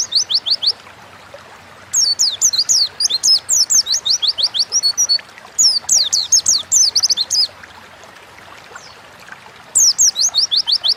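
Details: Oriental white-eye song in the wild 'ngalas' style, a lure to get pet birds singing: repeated bursts of fast, high, downslurred twittering notes separated by quiet gaps of one to two seconds.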